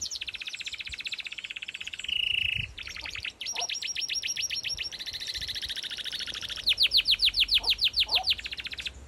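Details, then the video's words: Canary in an aviary delivering continuous song: rapid rolling trills at varying pitches, a brief loud whistled phrase, then steady repeated chips and a closing run of loud, evenly spaced sweeping notes. "Canary Singing"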